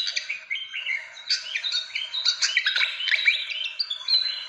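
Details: Fantail calls used as a lure to attract birds: dense, squeaky chattering of quick whistled notes, some rising, some falling, overlapping without pause through the whole stretch.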